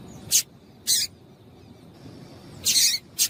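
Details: Female double-collared seedeater giving calls meant to stimulate the male: four sharp, high, raspy chips at uneven intervals, two of them close together near the end, with a quiet steady hum behind.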